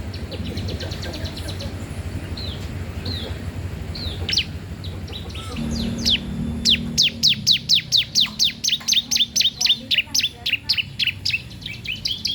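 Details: Bar-winged prinia in strong song, used to train or attract untrained young birds: quiet scattered notes build into a long, loud series of sharp, evenly spaced chirps, about two per second, over low background rumble.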